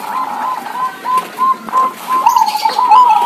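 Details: A local zebra dove, a very vocal bird, gives soft, rapid cooing notes around a steady low pitch, in bursts with brief pauses, answering back and forth with another zebra dove.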